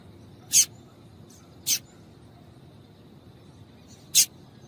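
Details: Female yellow-bellied seedeater giving sharp, thin chip calls to excite males, three notes spread irregularly over nearly five seconds with faint background hiss.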